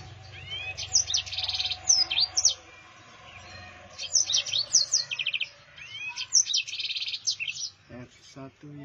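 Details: Yellow-fronted canary in full rolling song, three long bursts of fast buzzy trills and sharp high whistles separated by short pauses, with a few lower clicks at the end and faint background hum.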